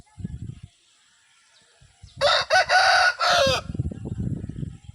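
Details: Aseel rooster in Pakistan crowing: a loud, hoarse crow of about one and a half seconds in several harsh segments, with low rumbling noise and faint voices before and after.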